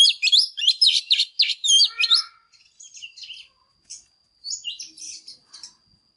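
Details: A female Oriental magpie-robin sings strongly to excite males, with two seconds of dense, rapid whistled chatter, then quieter broken twitters and a final short burst of scratchy notes.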